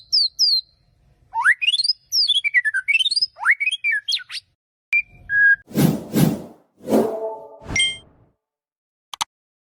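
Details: White-rumped shama warm-up song: a few whistled notes, then rapid zigzagging rising and falling whistles, followed by loud knocking thuds and a buzzy note, ending almost silent.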